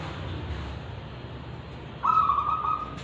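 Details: Zebra dove of local wild stock from Tulungagung, singing in Kristal and Ulem style. Two seconds of low background hum, then a single bright, vibrating coo phrase.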